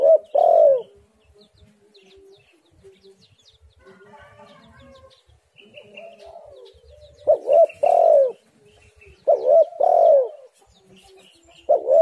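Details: Spotted dove cooing, used to lure other doves and prompt them to call: loud hoarse cooing phrases, a pair of strong coos near eight seconds and again near ten, separated by quiet gaps with faint background chirps.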